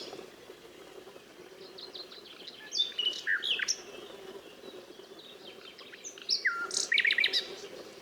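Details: Nightingale song phrases come in two loud bursts of quick whistles, sharp downslurs and rattling notes, separated by a quiet stretch of low background hum.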